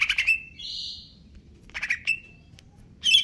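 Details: Caged greater green leafbird in stable condition, singing in a fast, aggressive style: harsh buzzy bursts with a sustained whistled note, then a broad raspy hiss, pause, and another burst of squawky notes.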